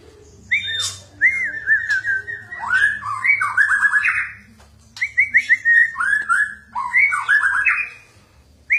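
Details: Kept white-rumped shama, lively and chattering, singing as if refusing to be outdone by its owner: a varied run of clear whistled phrases, slurred up and down, in two bursts with a short pause between them.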